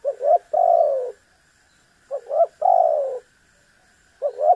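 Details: Spotted dove in lively, repeated calling meant to provoke a rival: double stuttered notes leading into long, coarse, descending coos, phrases about two seconds apart, with a faint steady high tone behind.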